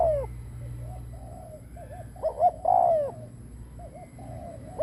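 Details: Decoy spotted dove cooing to draw in other birds, mostly soft wavering purrs with one louder short-long coo pair, over a steady low hum.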